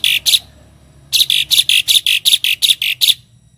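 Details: Harsh chattering from a tame Asian pied starling in 'isian' song: two buzzy bursts, a short silence, then roughly eleven loud rasping notes in a fast, even series.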